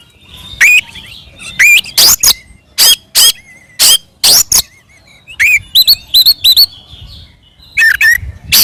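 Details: Oriental magpie-robin in energetic fighting song used as a lure to provoke other magpie-robins: loud rising and falling whistles alternate with harsh, explosive bursts in irregular clusters.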